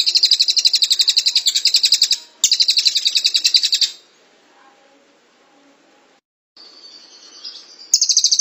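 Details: Cililin (Velvet-fronted Nuthatch) in the long tight-shot 'tembakan rapat' song for training songbirds: two rapid runs of shrill repeated chips with a brief break, a quiet stretch with a thin whistle, then the rattling trill resumes.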